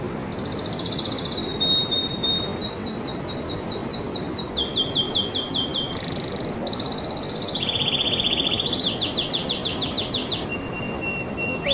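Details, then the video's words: Canary song built from successive tours of rapid repeated syllables. Each tour holds one pitch before jumping higher or lower. Notes come as quick sweeps and buzzy rolls, with a short whistle, over steady hiss. "تغريدة طائر الكناري"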